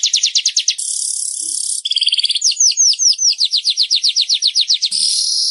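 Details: Weaver singing, played to get reluctant caged birds singing: a quick rattle, a dry hissing buzz, a brief double-toned trill, then a long run of sharp, sliding chip notes ending in a sizzle.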